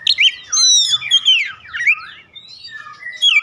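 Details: Oriental magpie-robin singing in a lure recording meant to prompt others to sing. Fast, varied whistled phrases with high sweeping slurs, trills and buzzy notes run together, then short sliding whistles after a brief pause.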